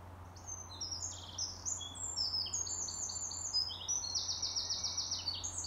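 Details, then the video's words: Two Eurasian wrens (Troglodytes troglodytes) take turns in competing song: loud, very high, rapid warbling phrases with a fast rattling trill near the end, over a faint low hum. "Two competing wrens | Eurasian wren bird song"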